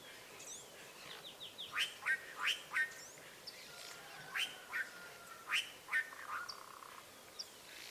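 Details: Azure jays, free-living wild birds visiting a rural smallholding where they are fed: a series of loud, harsh, rasping calls repeated roughly every half second, with thin whistled notes and other bird chirps behind.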